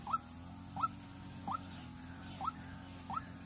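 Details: White-breasted waterhen used as a decoy in Vĩnh Long. Five rising, upslurred notes are spaced unevenly about 0.7 seconds apart, with a hum in the background.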